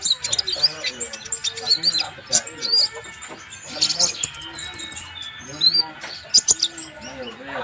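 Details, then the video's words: Van Hasselt's sunbird, known as kolibri ninja, in full song for training other birds: bursts of piercing high twitters and quick chips, separated by short pauses. Lower curved tones run throughout. "KONIN GACOR COCOK UNTUK MASTERAN"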